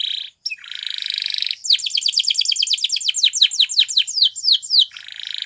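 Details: Spanish Timbrado canary song for teaching canaries to sing: buzzy rattling trill, then a long string of fast, descending whistled notes in quick succession, closing with another buzzy rattle.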